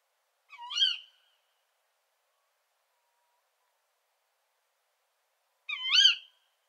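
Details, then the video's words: A female Tawny Owl gives two sharp, shrill 'ke-wick' (kuwik) calls about five seconds apart, each hoarse and rising then dropping, with silence between. "Głos samicy puszczyka zwyczajnego"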